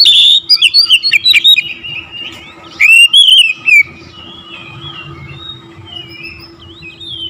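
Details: Oriental magpie-robin singing to stir rival magpie-robins: a rapid burst of loud, clipped whistled notes, a pause, a second short twisting phrase, then quieter warbling fading off.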